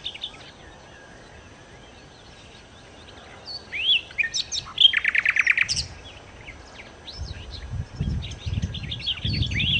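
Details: Nightingale, locally called sikatan londo, singing: a quiet start, then varied whistled and chirped phrases and a fast, loud run of repeated rattling notes near the middle, then scattered short twitters with low thumping noises at the end.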